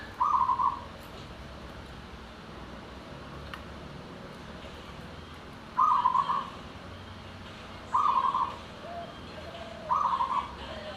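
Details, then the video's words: Zebra dove of a local perkutut strain singing anggungan: four brief, rolling, stuttered coo phrases, spaced irregularly about two to five seconds apart, with soft ambient hiss and a faint click between them. "Perkutut lokal"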